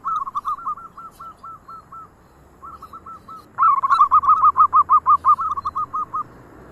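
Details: Local zebra doves singing, one setting off the others: a rapid string of soft, rounded coos, a pause, then a second, louder bird joins with a fast, rhythmic run of bright cooing notes overlapping the first.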